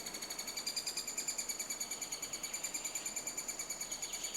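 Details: Nesting-season three-toed woodpecker recorded in Estonia near a self-excavated cavity in old softened wood. Thin, high-pitched chirping notes come in a quick, fairly even series, roughly three per second, over quiet background.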